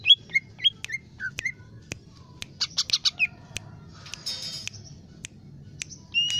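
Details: Lesser green leafbird (Chloropsis cyanopogon), song.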